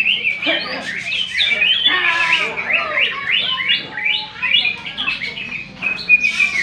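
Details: Greater green leafbird at a songbird contest in the leafbird class of an independence-day festival in Malinau Utara, North Kalimantan, Indonesia. Dense, rapid chattering song with bright slurred phrases and overlapping notes from several contest birds, plus faint crowd noise.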